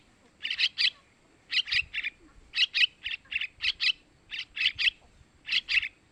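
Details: Begging calls of young sooty-headed bulbuls, played to draw in males: grating double and triple rasps in quick clusters, spaced roughly a second apart, steady and insistent.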